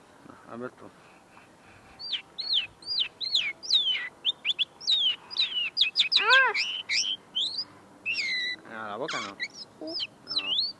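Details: Tame caged common linnet singing at close range, its song not yet fully polished: a long rapid stream of sharp twittering whistles and chirps with a few nasal buzzy trills mixed in, sustained for about nine seconds.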